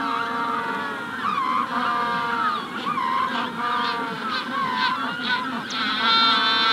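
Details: Magellanic penguins calling in a colony at the hatching stage: many overlapping harsh, harmonic braying notes form a dense, steady chorus, with thin high chirps of a rufous-collared sparrow above.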